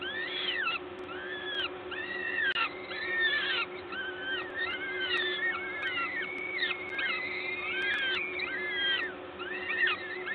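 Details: Peregrine falcons feeding at a nest in Gdańsk, Poland, 14 May 2022 at 11:07. Busy chorus of short, arched wailing calls, several birds overlapping, some sharply rising and falling, over a continuous low hum.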